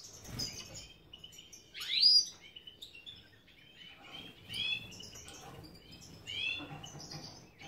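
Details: European goldfinch of the major form, bred in captivity in Ioannina, Greece, singing scattered bright chirps and rising and falling twittered notes with short pauses between phrases, plus a low thump near the start.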